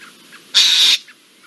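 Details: A common blackbird on 17 April 2024 gives a single harsh, high, metallic alarm note under half a second long, alerting to a nearby Iberian lynx, against a quiet background with faint distant chirps.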